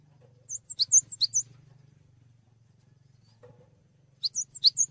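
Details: Cinereous tit in full song, used as tutor audio for training songbirds: two bursts of about four quick, high two-part chirps, each a sharp dip and rise with a thin whistle on top, separated by a pause. A low steady hum sits underneath.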